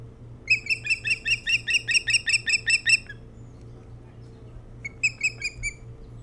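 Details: Osprey calling from the nest on Hog Island near Bremen, Maine, early morning, 07-03-2018, nest-camera recording; a fast run of about twelve ringing chirps, a pause of two seconds, then four more, with constant low hum beneath.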